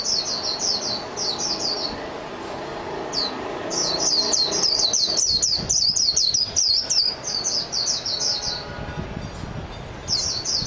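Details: Japanese white-eye singing nearly continuously, with long strings of quick, high, descending chirps that pause briefly, then resume as short twittering phrases at the end, over a soft background hum.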